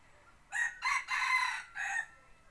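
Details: Decoy rooster for hunting trips crows in four parts, short, short, long, short, slightly softer, over a low background hum.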